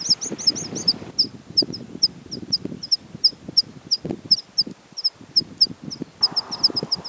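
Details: Water pipit in spring plumage: quick high notes at first, then spaced sharp chips, over persistent low rumbling and rustling noise.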